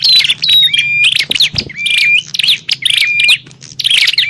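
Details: Quarrelling bar-winged prinias, a lure sound for attracting wild prinias: dense, scratchy chirping with repeated thin whistled phrases that jump up then hold steady, almost nonstop except one short lull.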